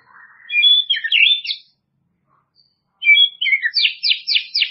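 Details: White-rumped shama, murai batu, singing a loud high chattering phrase, a silent gap, then rapid harsh high notes repeated about four times a second.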